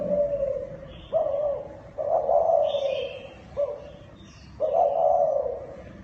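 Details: Thai dove giving a kích bổi call: drawn-out mid-pitched coos, two longer rolling ones and two short notes, separated by brief pauses, with faint high chirps of other birds in the background.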